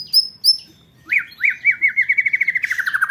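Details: White-rumped shama training recording for contest birds in the 'roll tembak' style: two high whistled notes, then a fast run of rising-falling notes repeated about three per second, slowly falling in pitch.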